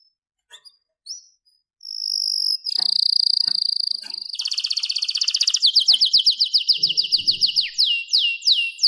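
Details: Singing canary used as a training song, opening with a few sharp chips, then long whistled trills, a rapid buzzy roll, and a run of quick descending sweeping notes.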